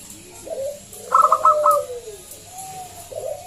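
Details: Zebra dove, local type with a loud voice, used as a lure to make other doves sing: a burst of five quick bright notes over a long, falling coo, with softer coos around it.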